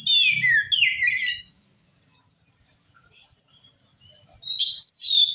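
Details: Oriental magpie-robin singing to provoke a reply from other magpie-robins: two dense bursts of buzzy, falling warbled phrases, a pause with faint notes, then a clear whistled phrase; low hum underneath at first.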